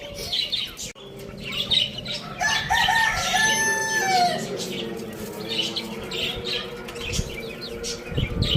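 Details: Pet rooster kept together with hens, chicks and budgies gives a single drawn-out crow of about two seconds, harmonic and falling at the end, set against constant high, twittering chatter of budgies.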